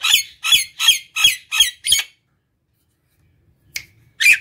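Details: Nias hill myna (Gracula robusta) song, played at home to lure and stimulate other mynas: six loud, harsh squawking notes about every third of a second, then a pause before two more rasping calls.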